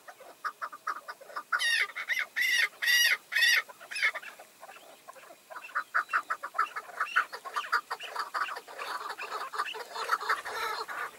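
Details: Chukar partridges, a tethered decoy and five approaching wild males, exchange calls: a burst of shrill, ringing, high rasping notes, then a long run of rapid clucking chuck notes.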